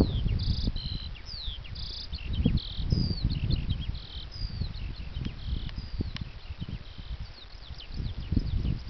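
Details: Eurasian skylark singing on Djouce in the hills around Roundwood: a continuous, hurried stream of high whistles, trills and short buzzy notes with quick rising and falling slides, heard over strong, gusty wind rumble.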